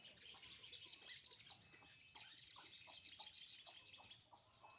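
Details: Sunbird in the morning sun, likely a caged bird; soft rapid high twitter that swells at the end into a string of loud squeaky notes.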